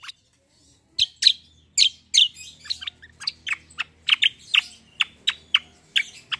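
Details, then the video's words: Black-winged myna (cucak kombo) in combative rolling song: a steady series of loud harsh, buzzy notes, about two per second, with a faint low hum behind. "KECIAL KOMBO CUCAK KOMBO TARUNG NGEROLL GACORR"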